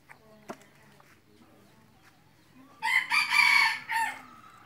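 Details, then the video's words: A junglefowl cock used as a hunting decoy lets out one rough, broken crow of about a second and a half after a quiet lead-in with faint background sounds. "ไก่ต่อไก่ป่า-qaib dib qaib qus"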